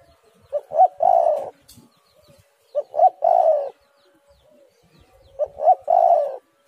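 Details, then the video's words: Spotted dove calling, a recording meant as a lure to prompt doves to call. Three evenly spaced phrases, roughly every two and a half seconds: two quick clipped notes, then a drawn-out mellow coo, in a quiet setting. "tekukur super gacor suara burung derkuku"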